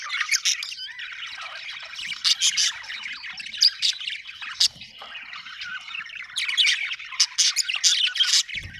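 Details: Lively budgerigar chatter, clusters of sharp squawky chirps rising out of continuous warbling, with a brief low bump at the very end.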